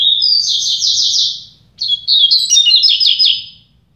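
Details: Two double-collared seedeaters in a song contest. Bright, high warbled phrases with rapid trilled notes, a first phrase followed after a brief pause by a second, more complex twittering phrase. A faint low hum is underneath.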